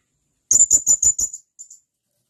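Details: ['Sharp calls of a blue-crowned hanging parrot: five shrill, high-pitched notes in quick even succession, then two softer fading peeps.']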